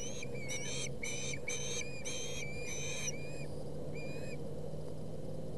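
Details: Young ospreys squabbling over a fish at the Boulder County nest on August 20, 2017. Five strong whistled chirp bursts in a steady rhythm, then a pause and one fading, slurred note, with a constant low drone.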